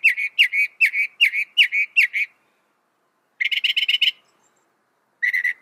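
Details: Northern mockingbird singing loud, fast phrases: a run of seven sharp repeated notes, a pause, then a quicker burst of chattering notes and a final short group.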